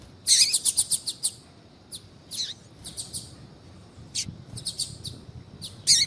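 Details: Female double-collared seedeater calling to excite a male into singing. It opens with a rapid burst of high chirps, then gives scattered single notes and one downward-sweeping slur, ending in another brief burst.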